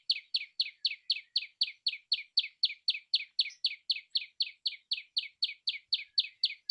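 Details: Rapid, metronomic song of a common tailorbird: loud, clipped high chirps repeated about four times a second without a break.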